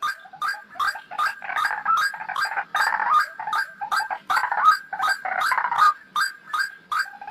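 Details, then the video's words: White-breasted waterhen lure call used for trapping birds: a continuous run of harsh, croaking, pig-like grunts, repeated about three times per second, with loud chattering stretches in between. "PIKAT RUAK RUAK paling LENGKET | Suara Pikat Burung"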